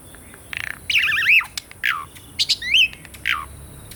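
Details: Asian pied starling singing, a recording meant to provoke song in birds that have gone quiet: wavering warbled whistles, brief rattling ticks and downslurred notes separated by short pauses.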